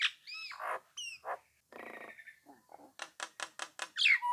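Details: Nias hill myna singing loudly to provoke rival birds into answering and joining in: varied whistles, harsh buzzy notes and a burst of rapid, evenly spaced clicks near the end.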